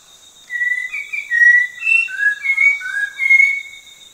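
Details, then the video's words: Orange-breasted laughingthrush, endemic to the Langbian Plateau of southern Vietnam, breeding at forest edges and dense scrub; a series of clear whistled notes, some level and some falling, roughly two to three per second, with a steady high hiss behind. "Orange breasted Laughingthrush"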